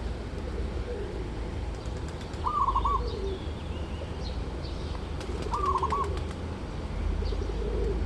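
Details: Zebra dove, called merbuk or perkutut locally, delivering two quick rolling trilled coo phrases about three seconds apart, while lower soft cooing and bursts of sharp clicks are heard around them against a low, steady hum.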